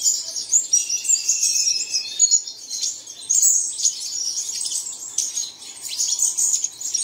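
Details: Busy flock of small birds twittering, meant to be played early in the morning so caged birds start singing. Quick, high-pitched chirps run almost nonstop, with a short dip in activity after the midpoint.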